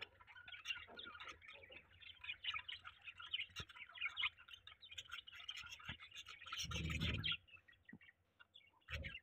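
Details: Budgerigars mating, with continuous soft warbling chatter of tiny chirps and ticks, a louder burst near seven seconds and a thud at the end.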